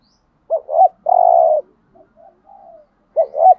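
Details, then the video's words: Spotted dove used as a decoy singer, from Dak Lak, Vietnam: one full phrase of double coo plus long burry note, soft low murmurs, then the next phrase beginning. "Cu gáy mồi"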